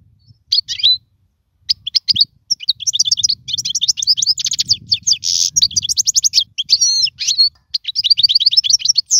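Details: European goldfinch, a caged contest singer used to teach young birds to sing: after a few opening chirps, a long fluent twittering song of rapid repeated notes, buzzy trills and liquid slurs.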